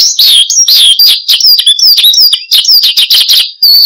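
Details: Cage bird branjangan (Horsfield's bush lark) singing steadily for luring and training others: bursts of high sweet whistles and chirps in short phrases separated by tiny pauses.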